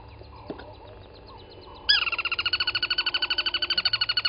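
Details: Morning waterhole recording from Djuma Game Reserve, South Africa, 23 August 2020: faint chirps, then a crested barbet bursts into a loud, fast, regularly pulsed trill of about three beats per second-group that runs to the end.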